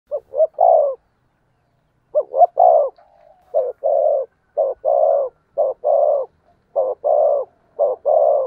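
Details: Spotted dove cooing, used as a lure to draw wild doves in: soft, hollow, two- and three-note coos in repeated phrases, a short stutter then a longer drawn note, with a brief pause early on.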